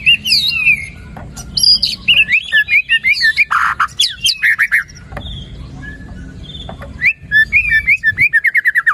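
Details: Varied white-rumped shama song for stimulating a reluctant bird to sing: tumbling whistled phrases, a raspy note, a short quieter pause, then a rapid run of repeated clipped notes.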